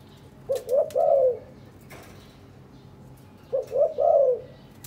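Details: Spotted dove in captivity, paired and nest building after preening its mate; two low three-note coo phrases ending in a long falling note, three seconds apart, with a few sharp clicks between.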